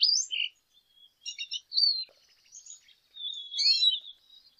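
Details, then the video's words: Lesser goldfinch (Spinus psaltria) sings a high, jumbled run of twittering notes, quick buzzy trills and thin rising and falling whistles, bright and sweet; Lesser Goldfinch. "Jilguero Aliblanco Canto - Lesser Goldfinch Song - Lesser Goldfinch Call"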